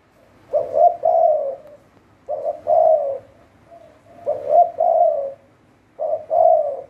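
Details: Caged Spotted dove decoy from Thailand, cooing steadily. Four phrases are heard, each a quick double note followed by a longer mellow coo, with soft connecting notes in between.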